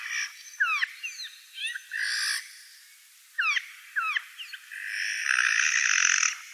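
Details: Eurasian jay in the Wittlich valley, 2018: quick curved chirping notes, then a harsh, rasping screech, more chirps, and a longer grating screech near the end.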